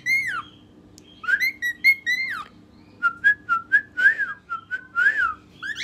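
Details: A whistle-trained pet cockatiel whistles its favourite learned tune of clear, swooping notes in quick phrases.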